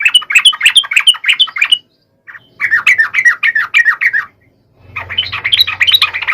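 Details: Sooty-headed bulbul singing, used as a lure to get males to sing: rapid chattering runs of bright whistled and squeaky notes in three loud bursts with brief gaps, faint low hum under the last burst.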